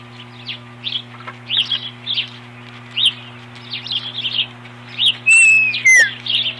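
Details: Osprey defending its nest from an intruder, 21 April 2015. Irregular upslurred chirps repeat, then a loud descending whistle comes near the end, all over a low steady hum.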